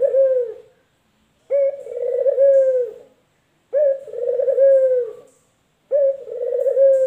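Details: Male collared dove (puter), local and white varieties compared, repeating a low, pulsing coo about every two seconds, four phrases in steady rhythm, each starting sharply and sliding down at the end.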